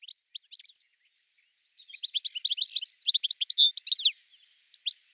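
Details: European goldfinch in full song, pouring out a dense, liquid stream of high, tinkling and buzzy twitters with rapid slurred notes. A brief pause comes early, then the phrases return near the end.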